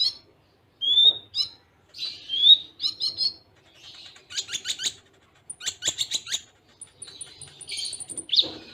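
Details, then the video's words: Konin (Van Hasselt's sunbird) song in a full Cililin-filled, tightly spaced tutor style: high thin chirps and short twittered phrases between brief pauses, some sharp rattling clicks and a few very high whistles near the end. "Masteran Konin Full Tembaan Cililin Jeda Rapat"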